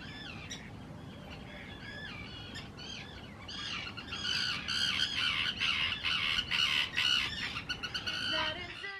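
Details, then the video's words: Loud, harsh, grating calls of common terns courting and taking nesting areas on islands at Israel's Hula reserve in spring 2018; scattered cries build into a dense, rapid burst of overlapping screeches from several birds. "שחפית ים"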